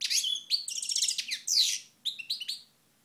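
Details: European goldfinch singing in sunshine at Moknine, Tunisia, 2012: rapid high twittering phrases with buzzy slurred notes and trills, then short separate chirps after a brief pause.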